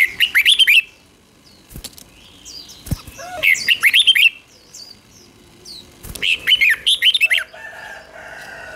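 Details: Red-whiskered bulbul song played for young birds to copy: three bursts of rapid, warbled, bubbling whistled notes, each about a second long, separated by pauses, with faint clicks between.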